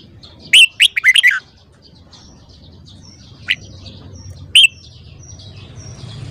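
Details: Morning song of a caged red-whiskered bulbul in training: a quick phrase of whistled notes, then two isolated sharp single whistles a few seconds later.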